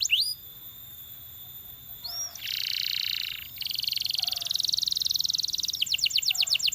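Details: A Belgian canary sings to get other canaries singing: an upswept whistle, a pause, then dense buzzy trills in several stretches and a row of quick falling notes.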